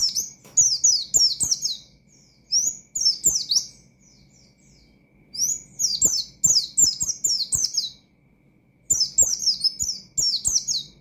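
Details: Oriental white-eye (pleci) in lively ngalas-style song, delivered to provoke rival and untrained birds: three bursts of rapid, high, down-slurred whistled notes, each run lasting about two seconds and separated by short silences, with faint clicks underneath.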